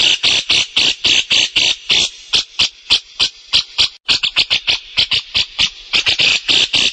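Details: Rapid run of rasping, buzzy notes from a grey-cheeked bulbul, roughly three to four a second, briefly pausing near the middle before resuming in quicker, uneven bursts.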